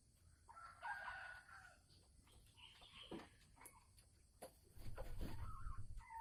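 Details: Sumatran red junglefowl hen in an enclosure, calling before laying eggs: one long harsh harmonic note near the start, then scattered shorter notes over low rumbling background noise and knocks.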